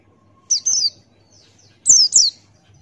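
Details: Male Buxtoni white-eye, open-billed forest-style singing for bird tutoring: a slurred double phrase of high descending chirps, then after a pause two loud sharp falling notes, faint low hum underneath.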